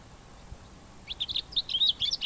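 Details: Male Cape grassbird singing at the start of the spring breeding season in September; a quick run of high scratchy chirps and whistled notes begins after a second of quiet, faint low rumble beneath.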